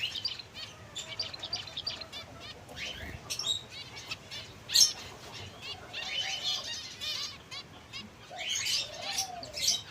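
Several finches chatter at once with quick, high chirps and short twittering bursts, overlapping almost continuously with a few louder sharp notes.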